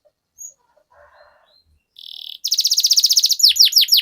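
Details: Canary in long rolling 'ngerol' song: after faint quiet rustles, a short buzzy burst leads into a fast high trill, ending in steep downward-slurred whistled notes.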